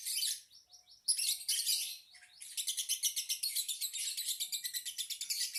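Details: Lovebird song: dense, high-pitched chattering twitters, a burst of scratchy notes, a brief pause, then rapid pulsed chirps repeated about three times a second.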